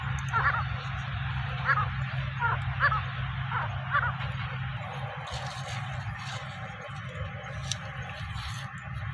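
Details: Grey francolin at its nest: loud, harsh, mid-pitched notes repeated roughly once a second for about four seconds, then fading, over a constant low mechanical hum.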